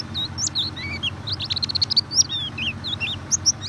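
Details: Lure recording of white-eye singing to prompt a reluctant bird: a lively run of high, twisting whistled notes and quick chirps, with a short buzzy trill in the middle, over a faint low background hum.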